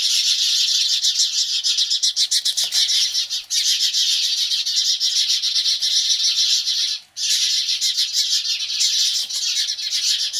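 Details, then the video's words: Continuous shrill mobbing chatter from house sparrows reacting to a Cooper's hawk, a rapid, rattling stream of high chirps kept up for seconds on end, broken only by two short lulls. "House Sparrows Reaction to Cooper's Hawk"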